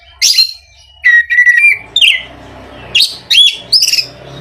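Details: Oriental magpie-robin song, used as a lure to get other magpie-robins singing quickly and freely: sweet whistled notes near steady pitch alternate with short high, sharp bursts separated by brief pauses, over a low background hum.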